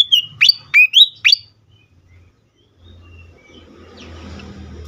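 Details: Four loud, clear fantail whistles in quick succession, each swooping sharply downward or upward, followed by near silence and faint background rumble.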